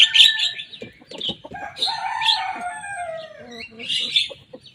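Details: Young Javan myna singing busily and mimicking rivals' songs: a dense jumble of harsh, buzzy notes and chatters, with a sustained lower tone sliding downward in the middle and bright bursts near the start and end.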